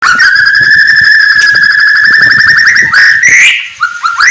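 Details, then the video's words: Oriental magpie-robin (murai batu) singing in the morning, kept for song contests; a long sustained whistled note with a warbling harmonic texture, ending in short rising whistles. "kicauan murai batu pagi hari cocok buat naikan emosi lawan"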